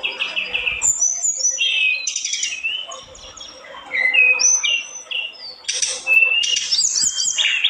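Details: Vocal olive-backed tailorbird pouring out a busy, varied song of high whistles, slurred downward notes and buzzy trills with hardly a break; a faint low murmur sits underneath.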